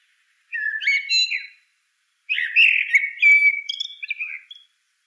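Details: Two whistled blackbird phrases: the first short and bright, the second longer, with warbling notes that trail into a level high whistle.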